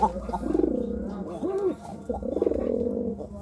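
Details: Pigeon cooing while courting: low, warbling coos that rise and fall in arched phrases, three bursts over a few seconds, with a steady low hum underneath.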